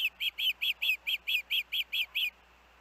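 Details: Osprey at the nest with young siblings, after being blown off the nest in dangerous winds; eleven loud, even, down-curving whistled chirps delivered quickly over two seconds, then quiet.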